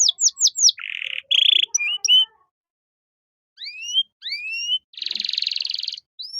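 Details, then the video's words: Canary cengkok mewah phrase for tutoring caged songbirds: a few falling whistles, harsh buzzy bursts and short chips, a pause, then upward slurred whistles, a broad rattling roll and one last whistle. "MASTERAN KENARI GACOR || Cengkok Mewah Mudah Masuk untuk Burung Bahan"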